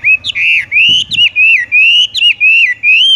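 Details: Horsfield's bush lark singing 'tung roll gantung' style: loud, continuous whistled phrases sliding up and down, broken by sharp upward flicks roughly every half second, with a brief low rustle in the background.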